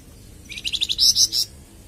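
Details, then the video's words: Flamboyan bird singing, a recording used to train and prompt caged birds: a quick burst of short high twittered notes rising into three louder, piercing whistled chirps, then quiet. "Suara Kicauan Burung Flamboyan"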